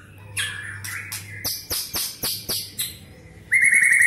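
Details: Medan White-rumped shama kept in a cage and prepared for the 2019 Presiden Cup, singing fast with imitations of cililin, canary and lovebird: a quick run of about eight sharp clipped notes, then a loud buzzy rattling trill at the end.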